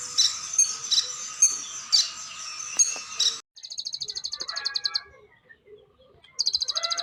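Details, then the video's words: Brown-breasted ninja sunbird giving varied song: bright high chirps repeated unevenly, then a rapid buzzy trill of fast pulses, a pause with softer twittering, and another quick trill starting. "KONIN Kolibri Ninja DACOK Dada Coklat GACOR beragam tembakan || CHIRPING SOUND ||"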